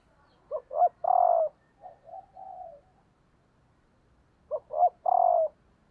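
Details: Female spotted dove used as a decoy, calling to stimulate males: two short throaty notes then a longer drawn coo, the phrase given twice about four seconds apart, with softer lower coos trailing after the first.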